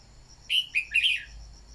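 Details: One short, lively song phrase of a red-whiskered bulbul decoy bird meant to get newly caught birds singing: three quick rich warbled notes, the last rolling and slurred, over faint insect hum.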